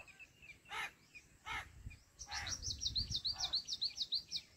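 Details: Jungle babbler chicks in the nest, waiting for the mother bird, give a rapid run of thin, high, down-slurred squeaks, several per second, after a few bursts of rustling.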